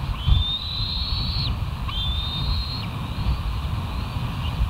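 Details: Bald eagles at the West End nest, filmed by a live nature cam on 28 July 2023 around 05:13: two thin, high whistled notes, each about a second long, rising slightly then dropping, over steady wind rumble.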